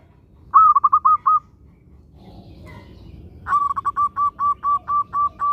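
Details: Zebra dove, a local bird singing energetically to prompt other doves to sing: a short burst of five rapid coos, a pause with soft background noise, then a longer steady run of about ten evenly spaced, rolling coos.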